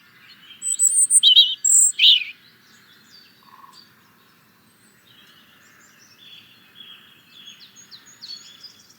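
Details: European robin singing a short burst of high, thin, varied warbling notes in the first two seconds, followed by fainter, scattered high twitters and quieter phrases.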